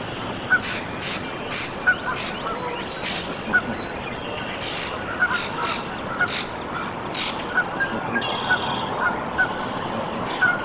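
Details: Canada goose nest in Decorah, Iowa, USA, on 14 April 2024 as goslings hatch; soft short honking and chirping calls scattered irregularly over steady background hiss, with faint higher peeps between them.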